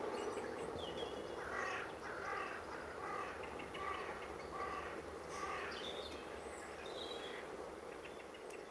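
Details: A Eurasian jay, a regular garden visitor in the UK in October 2012, foraging in a year of acorn shortage, gives harsh, rasping calls in a loose series, a little more than one a second, over steady outdoor hiss.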